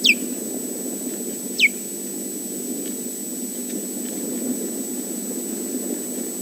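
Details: Osprey calling loudly at Loch Garten as its mate flies in for a nest swap: two piercing descending whistles, one at the start and another about a second and a half later, followed by a quiet low background hum.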